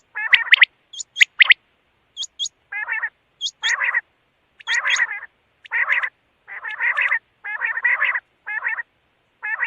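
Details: Quail giving repeated harsh, nasal, buzzy notes at about one per second, with a few thin, high whistled flicks near the start.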